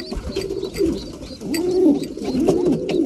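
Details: Breeding pigeons at feeding time give soft, low arching coos that swell and fade, several birds overlapping, amid light tapping and rustling.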